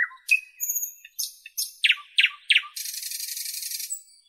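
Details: Common nightingale singing in northern Europe: sharp rising whistles, a run of three loud descending chirps, then a fast dry buzzing trill; clean background with no other sounds.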